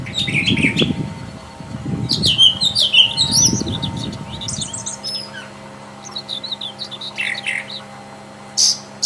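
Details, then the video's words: Brown Thrasher singing in the wild: a busy opening of dense, chattering and warbled notes, then sparser single chirps and brief buzzy slurs. Low rumbling noise comes and goes early on under a steady background hum. "Seribu kicau..!!"Brown thrasher"Burung termahal.Gacor di Alam liar."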